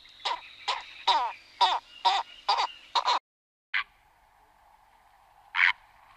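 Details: Purple heron at the Ebro Delta Natural Park, Tarragona, Spain, June 2011: seven rapid gravelly croaks in quick succession, a brief silence, then two separate rasping calls over a low continuous hum.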